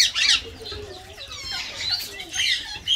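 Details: An Indian ringneck (rose-ringed parakeet) playing with water or showering gives harsh, high squawks and rapid scratchy chatter in short bursts, with light splashy noise in the background.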